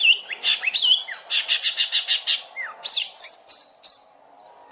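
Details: Long-tailed shrike song used to prompt other birds to sing: looping whistles, then an evenly spaced run of buzzy notes, a downslurred whistle and high, ringing tones at the end.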